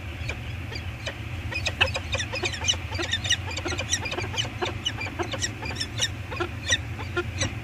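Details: Peregrine falcon pair at their eyrie on Anacapa Island, 8 September 2022, on a live nest cam. The male works the scrape, then the female arrives and they call together: rapid sharp chips in uneven bursts over a steady low rumble.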